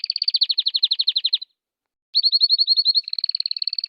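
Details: ['Canary song in two bursts: a fast, bright descending-note trill for about one and a half seconds, a pause, then another quick trill that shifts into a steadier high rattling roll.']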